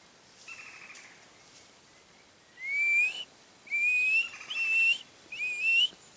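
Black-fronted piping guan giving thin, high, rising piped whistles, each about half a second long, four in six seconds, the first one faint.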